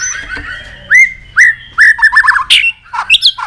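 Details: White-rumped shama singing excitedly with tail-flicking: a series of loud upward-slurred whistles about every half second, then quicker twisted notes and a high squeaky phrase.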